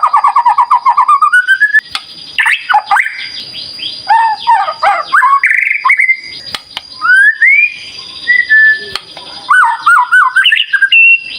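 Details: A White-rumped shama pours out varied 'gacor' lure song: an opening rising trill of quick repeated notes, then rich mixed phrases of whistles, slurred sweeps and chattering notes separated by short pauses.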